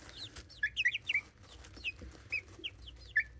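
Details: Young chickens four and a half weeks old make scattered thin peeps, single bright cheeps spaced irregularly over a soft background hum, picked up by a phone left beside them.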